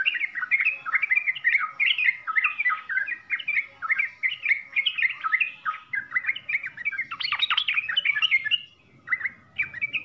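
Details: Fast, varied 'full isian' song from a sooty-headed bulbul: chattering, tumbling notes in a steady stream, broken near the end by a harsher, noisier burst and a short pause.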